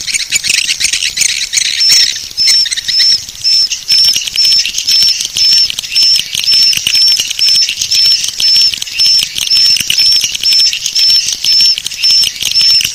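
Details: Swiftlet lure call to draw birds in: brief high whistled pips repeated about twice a second in an even rhythm over continuous dense, buzzy colony chatter.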